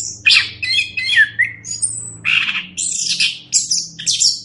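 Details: Orange-headed thrush song on a master track used to teach other birds, with loud slurred whistles and harsher buzzy phrases given in separate bursts about every half second.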